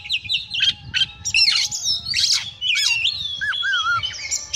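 An Oriental magpie-robin sings a rich, fast medley of clear whistles, slurred notes and harsh chattering bursts.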